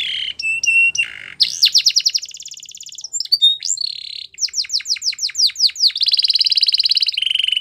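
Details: Canary singing varied tours: short whistled notes, a fast rattling trill, a run of sweeping downslurred chirps, and a long steady rolling trill that drops lower at the close.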